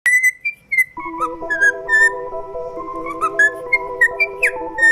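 Cockatiel giving bright, clear whistles, short and rising or falling, over steady background music.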